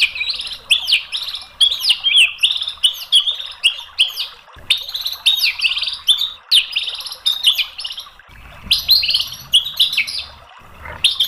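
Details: White-rumped shama in a dense, varied training song: restless chattering phrases of sharp, twisting whistles and squeaks, delivered almost without pause.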